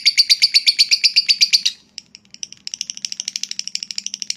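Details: Lovebird giving a long trill used to provoke rival birds: a fast, evenly spaced series of harsh high pulses, pausing briefly, then resuming as a softer rapid rattle.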